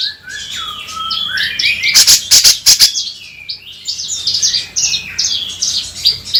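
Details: Black-crested bulbul used to prompt other birds to sing; varied whistled slurred phrases rising and falling, with a loud burst of sharp broadband clicks in the middle and continued warbling afterwards.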